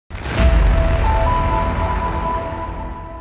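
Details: Loud music opens with a deep boom, then sustained steady tones over a rumbling low end, with no animal voice.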